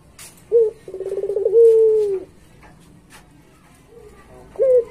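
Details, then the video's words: Barbary dove (puter pelung) used as a master recording for training pet doves: a short sharp note, then a rolling series of throbbing pulses merging into a sustained low coo, with another clipped note after a pause. Faint clicks are audible. "Suara Masteran Puter Pelung Gacor"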